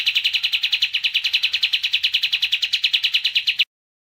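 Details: Kapas tembak, an Indonesian songbird, delivering a fast, steady trill of sharp high chirps, about eight notes per second, held for three and a half seconds before stopping abruptly.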